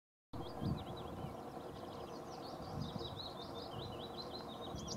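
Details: Two whiskered terns at Strabrechtse Heide, Netherlands, on 22 May 2014 give repeated short, harsh, scratchy calls that overlap, over a steady low rumble of wind or distant traffic.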